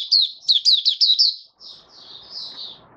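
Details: White-eye giving a quick burst of six or seven sharp high twitters, then softer drawn-out high notes fading against faint background noise.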